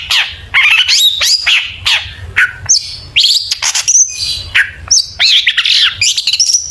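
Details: Long-tailed shrike song played as a lure to make other shrikes sing: a fast, varied run of sharp whistled notes, rising and falling slurs and scratchy chatter, packed with short bursts and brief pauses.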